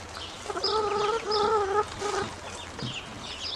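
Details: Ducklings, now grown, calling when hungry: three close drawn-out reedy whistles, each under half a second, then softer scattered high peeps.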